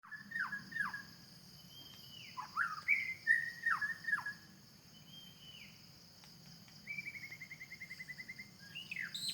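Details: White-rumped shama singing in the forest: clear whistled notes that slide up and down, some sharply dropping, plus a fast even trill near the end, over a steady high insect-like drone.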